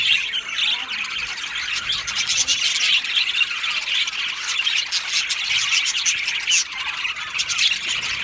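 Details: Many male budgerigars in an aviary colony, recorded 8 December 2025, chattering together in a dense, continuous wash of high, scratchy chirps and squawks with no pauses.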